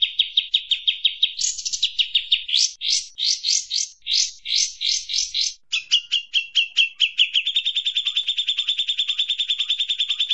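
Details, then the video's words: Kapas tembak bird in ombiyokan style, used as tutor sound for oriental magpie-robins: quick repeated chirps giving way to rolling, upswept chatter, then a long even machine-gun trill, clean and uninterrupted. "masteran burung kapas tembak"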